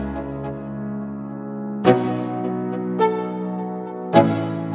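Only music is heard: sustained piano-like chords with soft struck notes, and no animal voice.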